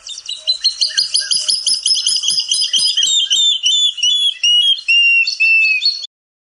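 Water Thick-knee: a fast, dense run of shrill piping whistles, several birds overlapping, the notes slowly sliding lower over six seconds.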